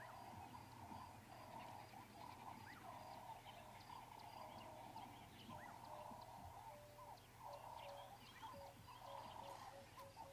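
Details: Several doves coo together at dawn on an African safari in a steady, overlapping chorus of low, rolling phrases, with brief higher chirps from other birds and a faint low hum.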